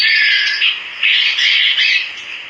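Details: Java sparrow singing actively: a continuous harsh, buzzy, squawking phrase that swells and dips in loudness over about two and a half seconds, with no other clear sounds.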